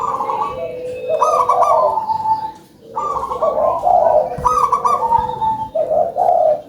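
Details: Local-strain zebra dove singing actively in a big voice: rolling, burbling coos grouped into phrases, each a quick trill followed by longer drawn-out notes, with a short silent gap before the next phrase.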